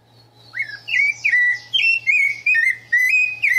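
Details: A wild rufous-bellied thrush in the caatinga backcountry of northeastern Brazil, after rains, sings a quick run of clear, slurred whistled phrases, each slightly different.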